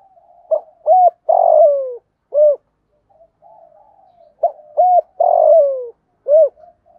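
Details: Morning cooing of a spotted dove kept as a decoy to draw in wild doves. Two soft, deep phrases of clipped notes, then a long descending coo and a single short note, separated by faint murmuring calls.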